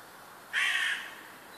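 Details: Morning bird sound in a housing estate in Służewiec, Warsaw, Poland: one harsh, hoarse caw lasting about half a second over quiet background hiss.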